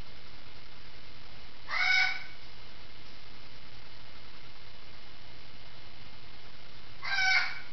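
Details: A parrot calling from the next room indoors: two harsh, harmonic squawks about five seconds apart, each roughly half a second long, over a steady low hum.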